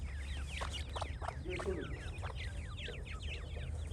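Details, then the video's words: Brief burst of francolin chick calls: many thin, high, falling peeps in quick succession, a few lower sharper notes early on, over steady low noise. "تیتر کے بچے اور مست آواز"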